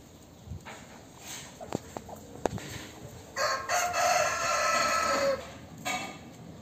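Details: A free-range (caipira) rooster gives one long, hoarse crow that holds strong, then falls away at the end.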